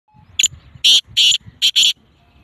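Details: Black francolin calling from the top of a rock: four loud harsh grating notes with a higher first one, in quick succession over about a second and a half.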